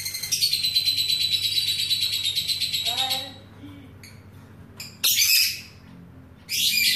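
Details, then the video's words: A lovebird fighter sings a long, fast, shrill chattering trill for three seconds, then short squeaky notes, a loud harsh burst of screeching, and another shrill burst at the end, over a low steady hum. "Lovebird fighter"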